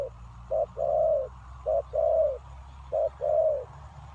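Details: Lure spotted dove, used to attract wild doves, uttering three low two-part coos, a clipped note followed by a longer, slightly falling one, over a faint low hum.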